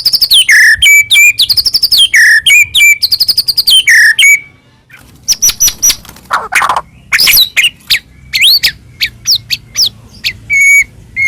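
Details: White-rumped shama song for luring captive birds into singing: looping whistled phrases descending then rising, followed by scattered sharp notes, a harsh burst and sparse high chips.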